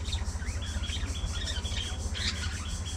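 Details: A colony of budgerigars chatters continuously: quick, squeaky chirps and warbling high notes tumble over one another, with a constant deep droning hum underneath.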